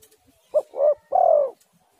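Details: One clear spotted dove phrase played to coax other doves into calling: a short hoot, a rounded coo, then a longer slightly falling note, with near silence around it.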